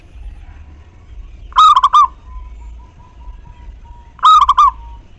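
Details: A local Zebra dove (perkutut), recorded as a lure to prompt other doves to coo, gives two bursts of quick, rolling coos about two and a half seconds apart, each trailing into a soft held hum, over a faint low rumble.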